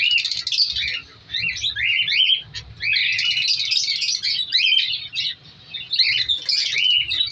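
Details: African lovebirds in a colour breeding colony kept in an aviary during winter, their second breeding season. Many birds chatter at once in dense, high, squeaky chirps and buzzy twitters, with brief quieter gaps.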